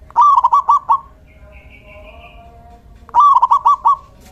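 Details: Local male zebra dove singing as a lure and tutor for quiet doves: two quick rolling phrases of five or six trilled coos, about three seconds apart, with a soft higher tone between.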